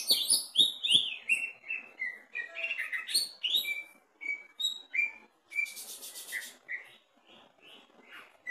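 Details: Greater green leafbird kept in a cage, tested at the bottom of the cage, giving a lively varied song of sharp chirps and slurred whistles, busy at first, then sparser notes with short gaps and a brief noisy burst.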